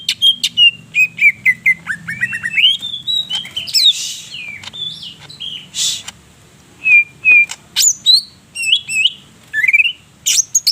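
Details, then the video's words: Greater green leafbird in full song, full of learned imitation phrases, from Purwosari, North Purwokerto, Banyumas, Central Java, Indonesia: rapid varied chirps, sharp whistles and slurred high notes in quick bursts, with short pauses between phrases. "CUCAK IJO GACOR SUARA NYA BIKIN EMOSI CAK IJO LAIN"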